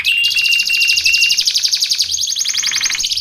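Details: Canary giving a rapid rolling trill with a whistled tone over it, dropping into a lower buzzy roll near the end; song for training and luring canaries.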